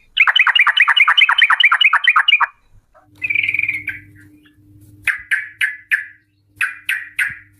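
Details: Lure recording of a female Sooty-headed bulbul to make others sing ropel: a long fast run of descending chattering notes for over two seconds, a brief buzzy trill, then spaced single sharp notes, with a low hum.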